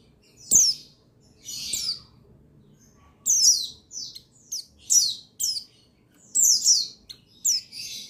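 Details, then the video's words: Singing male pleci buxtoni white-eye, recorded 8/8/21 to trigger song in other white-eyes; a loud sharp chirp opens, then clustered bursts of high, falling twitters arrive rapidly toward the end. "Buxtoni Menaikan Emosi Burung Pleci Bahan Agar Pleci Bustomi Gacor Cepat Bunyi"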